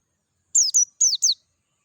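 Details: Oriental white-eye, Dakun variety, singing in the wild in natural surroundings: four rapid, high-pitched notes that slur sharply downward, delivered in about one second, clean and clear.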